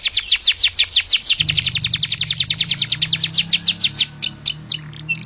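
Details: Champion contest canary from East Java, Indonesia, pouring out a fast, even trill of sharp repeated notes that slows and breaks into squeaky chirps, over a low steady hum.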